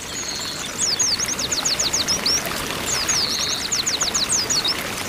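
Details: Female Oriental white-eyes calling in a group to excite males: two matching phrases, each a short whistle followed by a fast series of thin, steeply falling chirps, over steady background hiss.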